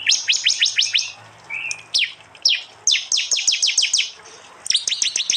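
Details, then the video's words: Prinia 'tembakan' song from East Java, phone-recorded and merged with prenjak and jali sounds for training cage birds: rapid strings of loud, high, downward-sweeping chirps in runs of five to eight, broken by brief pauses and one short rising note. "masteran Tembakan prenjak jali keras"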